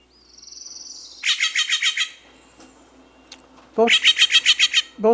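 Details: Steller's jay call: two quick bursts of harsh, rasping shack notes, about six per burst, with a thin, rising whistle at the start.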